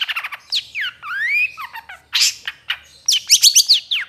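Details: Long-tailed shrike (Lanius schach), song.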